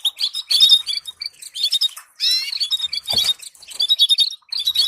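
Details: Canary training song: fast high twittering with a short harsh, rasping burst in the middle and a low thud shortly after, then more chirped phrases.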